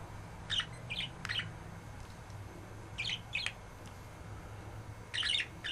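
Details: Pet male budgerigar chirping while being stroked and having its beard feathers gently tugged: short bursts of bright, scratchy chirps near the start, middle and end, separated by pauses, over a steady low indoor hum.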